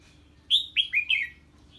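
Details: 'Ché' song of a red-whiskered bulbul reacting to an unfamiliar bird, one phrase of four quick, clear, downslurred whistled notes descending slightly, with a low steady hum beneath.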